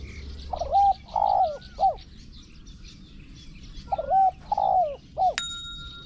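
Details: Spotted dove decoy trapping in Thailand: two phrases of three mellow, hooked coos about three seconds apart, over steady high insect buzzing, followed by a sharp metallic click.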